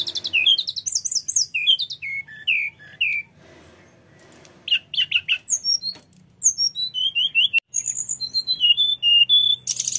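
A Snowy-browed Flycatcher sings fast, high chirping phrases of slurred, falling notes in rolling bursts, with one brief pause and a faint low hum.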